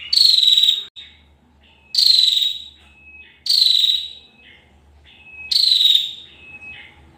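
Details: Female bar-winged prinia calling in short, high, rasping bursts that drop in pitch. Each burst ends in a thin whistled note, and the bursts repeat roughly every one and a half seconds.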